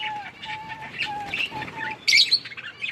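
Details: Budgies during winter rain: a row of short level whistled notes repeated about every half second over soft chatter, then a loud harsh chirp.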